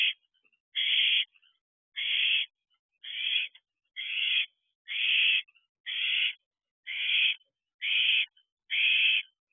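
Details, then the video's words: Owls at a nest box at night in late June, around the first food delivery to the owlets; nine harsh, hissing screeches, each about half a second long, repeated roughly once a second with steady rhythm. "First Food Delivery of the Night."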